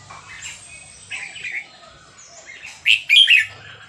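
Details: Red-whiskered bulbul, Burmese type, recorded at Dan Singkhon in Thailand: soft chirps lead to a loud, quick, bubbly whistled phrase toward the end, over a low background hum.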